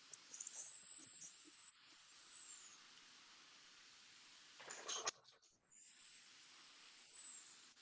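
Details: Costa's Hummingbird song, a learned song used to attract mates and defend territories, played back: a very thin, high-pitched whistled squeak held about two seconds, slightly arched, heard twice with a short scratchy burst between.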